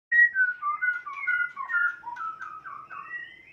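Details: White-rumped shama from Sumatra, a Kota Agung x Medan Balak (Nias) line, singing a rapid run of clear whistled notes that slide up and down, each phrase different, in a quiet room.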